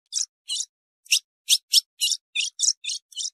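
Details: Female ultramarine grosbeak call, used to excite males: a series of short, sharp, high chips, about ten in just over three seconds, unevenly spaced, with no other sounds.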